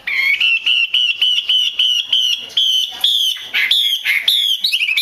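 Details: Female Chinese hwamei calling to stimulate males to sing: a fast run of short, harmonic-rich notes around a steady mid-high pitch, rising slightly and speeding up toward the end.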